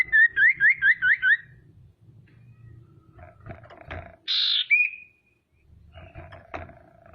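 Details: Lure calls of a female common iora meant to excite rivals; six quick upswept whistles in a row, a pause with low background clatter, then a harsh buzz and a short whistle.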